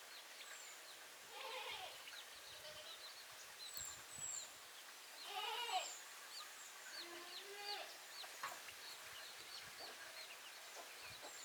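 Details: Backyard chicken calls: several short harmonic, slightly rising clucks and squawks come in bursts around two and six seconds, over steady outdoor background noise with faint high bird chirps.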